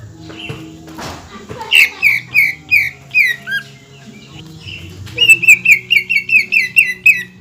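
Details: Greater green leafbird in a cage, singing fervently to provoke other leafbirds: varied slurred whistles and chirps, then a rapid run of bright, repeated ringing notes, over a steady low hum.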